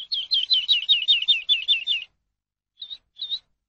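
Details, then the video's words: Tutoring song of a Eurasian skylark for teaching captive birds. A rapid series of about ten identical hooked notes is followed by a pause and two brief chirps. "ALONDRA COMÚN AVE; CANTO PARA ENSEÑAR"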